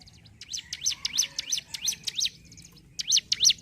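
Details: Ciblek gunung, or hill prinia, in energetic ngentrok song: a rapid run of about eight high V-shaped notes, a brief pause, then three more quick notes, over a soft background hum.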